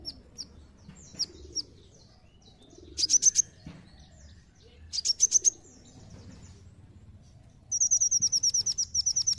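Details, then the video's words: A brown-throated sunbird gives a high, thin chittering song in sharp rapid bursts of ticking notes around three, five and eight seconds, with scattered soft chips between and low background rumble. "Kolibri Ninja Seketika Langsung Ikut Nembak"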